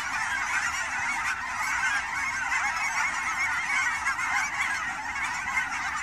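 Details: Canada geese massed at Fern Hill Wildlife Area, Forest Grove, Oregon, in fall migration: constant overlapping honks from a large wild flock, a dense chattering clamour of even loudness.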